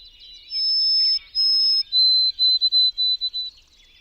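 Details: White-throated Sparrow song, slow and sweet: two long, pure, high whistles, then a slower run of shorter lower whistled notes, after a brief jumble of fast chattering notes.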